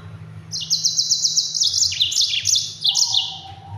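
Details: Yellow-fronted canary (Mozambique) singing a fast, dense rolling song used as tutor material for training other birds: high trilled phrases of rapidly repeated notes with quick descending slurs, steady low hum underneath.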